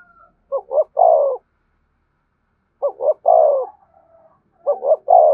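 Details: Spotted dove in the thổ voice style, thúc and kèm calls: three phrases separated by gaps of about two seconds, each a quick double note followed by a resonant, falling coo.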